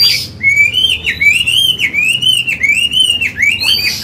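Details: Old Chinese hwamei with a wild voice, singing to help train newly caught birds and make males sing: a series of long, clear, looping whistles, each rising then dropping, repeated smoothly about once a second.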